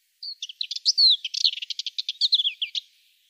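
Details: Subalpine warbler song: a rapid, scratchy chatter of short high notes mixed with brief whistled slurs, delivered in one continuous burst of about two and a half seconds against a silent background.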